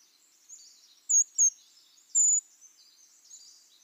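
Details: Archival library recording of brown creeper calls: two brief, very high, thin notes close together, then a longer, drawn-out seee, with soft high-pitched chatter faintly behind.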